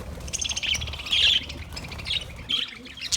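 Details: Budgerigars in an aviary, Australia: a flock's busy high chirps and squawky warbles overlapping, with a brief louder burst near the middle and low rumbling background.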